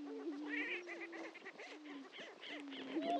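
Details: Greater prairie-chickens at a historic lek on Dunn Ranch Prairie, Hatfield, Missouri: a steady low hooting drone with rising-falling whoops over it and scattered higher cackling notes.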